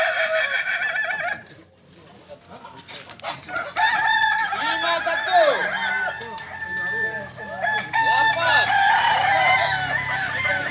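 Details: At a practice contest in Ampang Kualo, Kota Solok, several Kokok Balenggek roosters give long, rolling crows of repeated arched syllables, one after another and overlapping, after a short quieter gap near the start.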